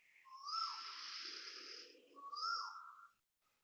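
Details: Loud early-morning Asian koel call, 6:05 am, 5 November 2025, Toa Payoh Lorong 8, Singapore: a long upward-sliding whistle followed by a shorter rising repeat, each note carrying a bright high overtone, with a faint low murmur underneath.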